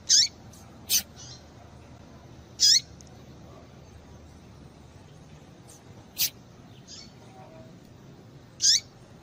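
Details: Female double-collared seedeater calling to excite males: sparse high downslurred notes and sharp ticks, separated by gaps of one to three seconds, against a low steady background hiss.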